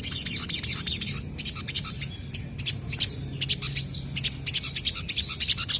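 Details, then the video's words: Crested jays in back-and-forth song. A rushing high trill opens, then sharp, uneven clicks and chips follow, roughly three per second, building again into fast chatter at the end. "SOGON GACOR BERSAHUTAN,BURUNG BAHAN DIJAMIN CEPAT RESPON BUNYI!!!"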